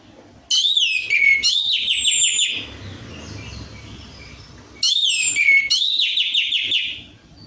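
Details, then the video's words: Orange-headed thrush (anis merah) lure song to make a silent bird sing: two bursts of loud, high, stuttering whistles with downslurred notes and rich warbling, and a quieter gap with low background rumble between them. "PANCINGAN ANIS MERAH AMPUH INI, ATASI SUSAH BUNYI ANIS MERAH"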